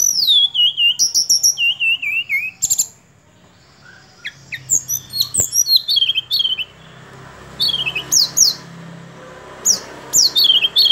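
A Sunda robin sings thin, high whistles that slide downward in quick bursts, with short pauses between phrases over a faint low hum.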